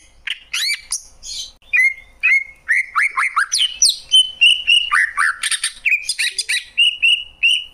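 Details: Lively greater green leafbird song mixing harsh chattering bursts, rolling warbles and clear sustained whistles, delivered in quick irregular phrases.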